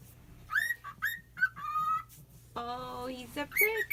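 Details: Male pet cockatiel, excited at his owner's return after a day and night away, gives a run of bright, bouncing whistled chirps like laughter (mimicked laugh), with a person's voice in between.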